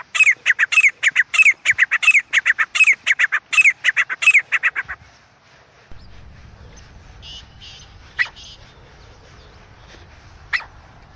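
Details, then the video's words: Jungle francolin in the wild: a dense run of rasping notes, each with a bent ringing tone, repeated quickly for five seconds; afterwards a low rumble of background noise and a couple of faint distant notes. "Viral Acha Teetar Voice | Real Jungle Teetar Sound"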